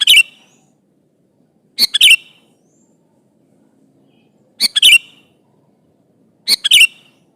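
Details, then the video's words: Sooty-headed bulbul in full song, calling an opponent: four short, bright, bubbly phrases, each a quick cluster of chirpy notes, spaced about two seconds apart against a quiet background. "Suara burung kutilang gacor memanggil lawan ini"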